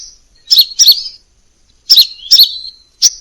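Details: Song of a crimson sunbird, a series of high, sharp double chips linked by thin sliding whistles, paired notes separated by short pauses, clean and quiet behind.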